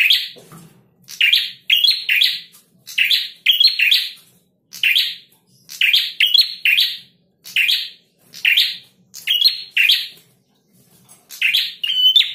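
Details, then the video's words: A male prinia in full, lively song delivers a steady run of short, rasping, buzzy phrases, roughly one every second, with barely a pause between them. The background is quiet apart from a faint low hum. "Prenjak Jantan Gacor."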